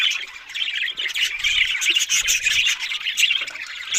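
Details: Budgerigars chattering continuously with dense, scratchy, high warbling and chirps, several birds calling over one another without pause.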